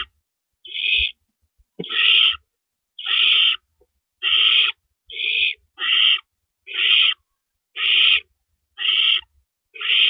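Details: Owls at their nest at 4:31 AM, April 4, 2012, as rabbits are brought in. Harsh, breathy screeches repeat almost once a second, about ten in a row, with faint thuds and scuffles in the quiet gaps.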